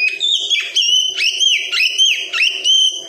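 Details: Oriental magpie-robin in the wikplong style, played to teach a young untrained bird to sing. Loud ringing whistles swoop down and back up, repeated roughly every half second in a steady rolling pattern, with a soft low rumble beneath.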